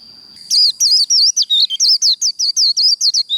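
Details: A Japanese white-eye sings the líu đấu style of fighting song, a rapid string of about a dozen bright, looping high chirps in quick succession, preceded by a steady thin tone.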